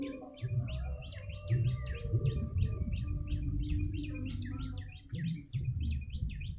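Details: Rapid repeated chirps from a yellow-bellied prinia, used as a lure, each note snapping downward, pouring out almost without pause above a rumbling backdrop and a faint lower whistle-like tone.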